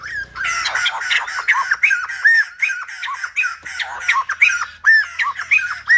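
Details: Silver-headed babbler in song likened to a lumba dancer, giving an unbroken series of scratchy, whistled squawks with clear downslurred and upslurred notes, a soft low rumble at the start.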